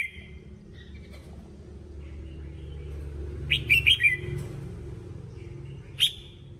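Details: Red-whiskered bulbul training song: faint soft notes at first, then a quick burst of four or five sharp warbled notes and one final loud chirp, over low rumbling.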